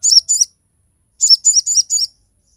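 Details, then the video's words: Crested jay giving sharp song bursts, recorded as a master and lure for other birds: two twittering high notes, a pause of under a second, then four more rapid, slurred high notes. "SOGOK ONTONG GACOR FULL TEMBAKAN TAJAM COCOK UNTUK MASTERAN DAN PANCINGAN SOGON OBYOKAN"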